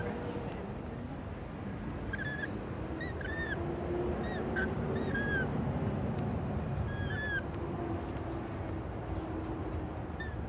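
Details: Rainbow lorikeets eating white bread on a patio give repeated short, shrill screeches in loose groups of two or three, steady background rumble throughout.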